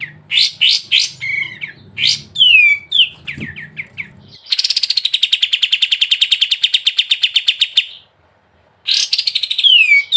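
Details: Sooty-headed bulbul in lively gacor singing with ngebren style: a string of bright whistled notes and downward-sliding chirps, then a long, fast buzzy rattle of evenly repeated notes, a short pause, and more sliding whistles.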